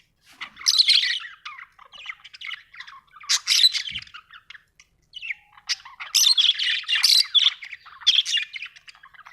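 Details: Budgies chirping steadily, overlapping scratchy warbles and squawks in dense runs broken by brief pauses, high-pitched and busy.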